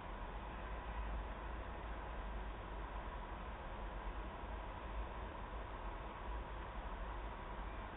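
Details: Steady broadband rumbling noise, like traffic or machinery, fills the whole recording with no animal call.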